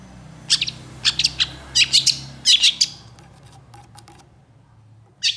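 Long-tailed shrike giving harsh, scratchy chattering bursts in quick clusters over about three seconds, then a pause and one more burst; faint low background hum.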